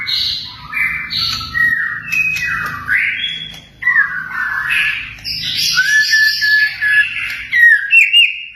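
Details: White-rumped shama training song with mimicked phrases imitating cililin, canary, konin and katem; a varied run of whistled, slurred and buzzy phrases shifting in pitch, dense and continuous throughout.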